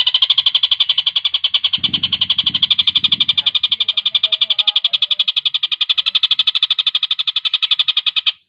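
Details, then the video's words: Javan kingfisher delivering a speedy, tight rattle as tutor material for competition birds. A long, steady chatter of sharp high notes continues for over eight seconds, with a few dull low thumps early on. "Tengkek Buto gacor speed rapat"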